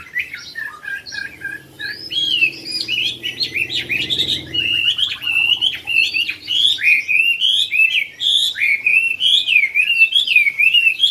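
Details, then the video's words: At the Mỹ Đình hwamei singing contest final on 19 July 2020, competitor number 37, a Chinese hwamei that won first prize, pours out a loud, rich, continuous song of varied whistles and slurred phrases, with a faint murmur of voices behind. "HỘI THI HỌA MI HÓT"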